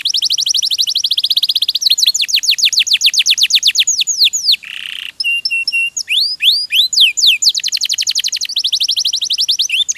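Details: Persistent canary song from a training recording for songbirds: long rolling trills of repeated high whistles, broken by a brief buzzy note and a run of slurred upward and downward sweeps, then more trills.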